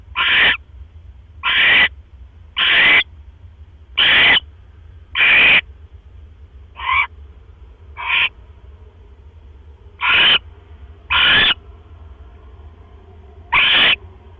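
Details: Barn owl at its nest, 1:09 AM, 12 October 2015, with the male bringing another mouse; ten short hoarse hissing screeches in an uneven series, some shorter and softer, with pauses of up to two seconds.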